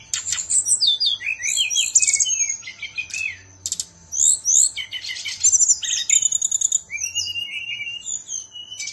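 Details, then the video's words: A Balinese songbird delivers a dense, rapid song of sharp high chirps, trills and sweeping whistles, with brief pauses between bursts and a faint steady hum in the background. "Burung SRDC BALI"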